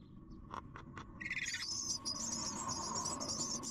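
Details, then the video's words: Three hungry chicks waiting for food: a few soft knocks, then from about one second a rising burst of shrill, high, continuous begging squeaks that carries on to the end. "Three Baby Hungry food"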